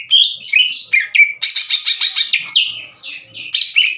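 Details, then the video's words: Greater green leafbird, a kept bird past the twittering juvenile phase, singing loudly in an agitated state to challenge other leafbirds to fight. Rapid varied whistled and buzzy phrases, slurred notes and harsh chattering bursts, almost continuous over four seconds. "CUCAK IJO GACOR NGEPLONG DAN TEMBAKAN KASAR NGAJAK IJO LAIN TARUNG"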